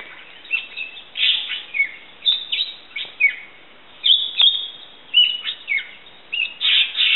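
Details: Common green magpie (Cissa chinensis) at Fraser's Hill gives a lively run of sharp, ringing chirps and falling whistles, in bursts roughly every half second to a second, over faint background hiss.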